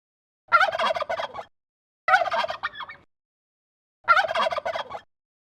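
Turkey gobbling: three rapid, rattling gobbles, each about a second long, spaced two seconds apart, with nothing else heard.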